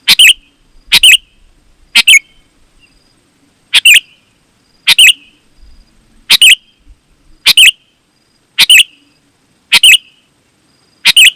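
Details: Sooty-headed bulbul song for luring wild bulbuls and tutoring caged birds: crisp, bubbly doubled phrases spaced about a second apart, with one longer gap in the middle.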